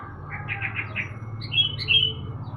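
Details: Sooty-headed bulbul out in the morning sun, giving a row of quick soft chirps followed by two louder, clear whistled phrases, with steady low hum behind.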